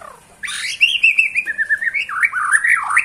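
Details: Bornean white-rumped shama singing: a loud, rich warbling phrase that wavers and slides up and down, with rapid rolling notes and some harsher edges, delivered continuously for about three seconds.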